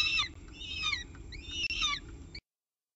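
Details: Wild peregrine falcon at its nest with a pigeon for breakfast, morning of 24 October 2018: harsh, rasping arched calls in short bursts, three separated notes with faint background hum.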